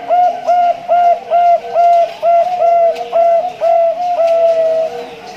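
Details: Male Bangkok zebra dove, a farm-bred breeding bird from Pasuruan, East Java, Indonesia, prized for its melodious voice: steady run of clear, hollow cooing notes, roughly two each second, with a slight drawn-out coo near the end.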